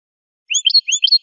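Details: Brief phrase from a wild American goldfinch: two repeated, rising, sweet, high twitters in quick succession, clear against silence.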